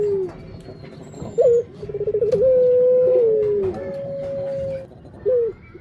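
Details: Barbary dove giving a long low coo: a brief upturned note, a rapid stuttering onset, then a drawn-out level tone that sags and resumes, ending with another short rising note; faint hum behind.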